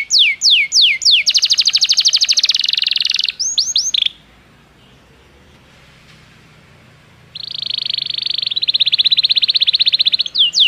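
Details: Belgian canary song used for canary training: fast buzzy trills and rapid repeated downward-swept whistled notes, high-pitched and bright, broken by a silent pause of about three seconds before another long rolling trill resumes.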